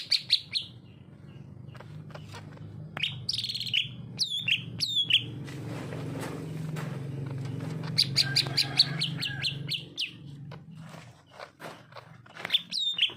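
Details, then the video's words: Narung-style song of a greater green leafbird, a sustained stream of bright whistles, sharp downslurred notes and dense chattering phrases. The song pauses briefly midway and resumes, with a steady low hum beneath. "suara cucak ijo narung"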